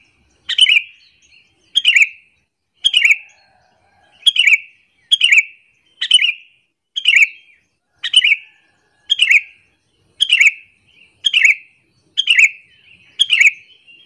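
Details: Sooty-headed bulbul used as a lure to anger other bulbuls; thirteen evenly paced, short gurgling whistled phrases falling slightly in pitch, one roughly every second, against silence.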